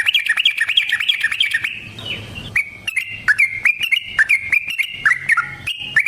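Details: Sooty-headed bulbul in constant, long rolling song used as a lure to trap others and provoke them to answer: fast bubbly chirping phrases, a brief hissy pause midway, then sharp repeated clipped notes in quick succession.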